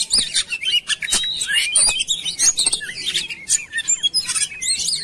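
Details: Kacer (oriental magpie-robin) singing to spur other birds into song: loud, varied high chatters and sharp clicks mixed with swooping whistles, rapid and unbroken.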